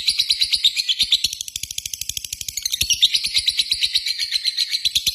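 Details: Lovebird used as a lure, giving a 'ngetik' ticking call that runs into a long 'ngekek' chatter: fast, high, rasping notes repeated steadily for the whole stretch, with a slight dip in loudness midway and no other birds.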